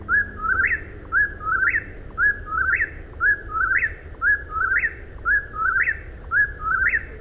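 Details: Eastern whip-poor-will singing its rhythmic three-part whistled phrase, a short note then a rising, sharply upswept ending, repeated about once per second, seven phrases in a row over a low steady rumble.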